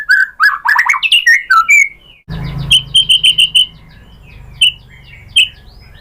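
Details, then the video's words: Singing white-rumped shama, song played to get other shamas to answer: fast varied whistled notes, then after a cut a series of evenly spaced short high chips with steady low background hum. "SUARA MURAI BATU bikin BUNYI jadi NYAUT GACOR"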